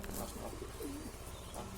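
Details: A domestic pigeon, perched on a temple top in the afternoon and refusing to come down while the flock feeds, gives a soft, low coo that swells and dips once, over a steady low hum.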